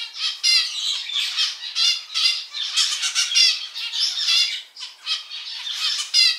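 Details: Male pet zebra finch, one of a household's varied colour morphs, singing a dense run of buzzy, nasal harmonic notes repeated in quick phrases, loud and close, with no other sounds.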